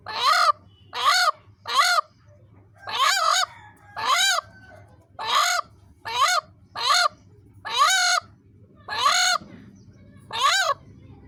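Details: Barking, dog-like calls of a hen defending its egg: around a dozen loud, raspy, honk-like barks in a steady run, roughly one each second, some in quick pairs.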